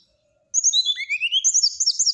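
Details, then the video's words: Whistling song of a brown-chested jungle flycatcher, said to anger a neighbour's flycatcher: after a brief quiet, a continuous stream of shrill, sliding whistles with upward-sweeping notes and fast, warbled trills. "SRDC NYULING BIKIN EMOSI SRDC TETANGGA,SIKATAN RIMBA DADA COKLAT"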